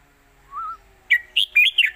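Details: Red-whiskered bulbul singing a traditional southern Thai song meant for teaching young birds: a soft low whistle, then four loud quick warbled notes rising and falling in a lively phrase.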